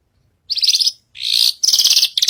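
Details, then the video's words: Australasian bush lark singing energetically on a stage, giving harsh, buzzy, rasping bursts of high notes in three or four runs separated by short gaps, with a soft low rumble in the background. "Burung branjagan gacor naik panggung"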